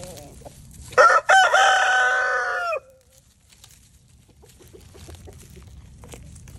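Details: A 1-year-old Easter Egger rooster crows while walking away: two quick opening notes, then a long, raspy, held note that drops at the end. Faint background noise follows.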